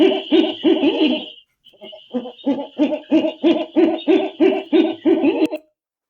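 An owl gives a fast run of mellow, hollow hoots, about three each second, with a faint steady high whine behind.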